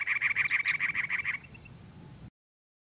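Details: Cactus wren male on territory among teddy-bear cholla, Anza Borrego State Park, California, April 2010: a fast series of grating, even notes for over a second, then it stops while faint thin, high notes from another bird carry on.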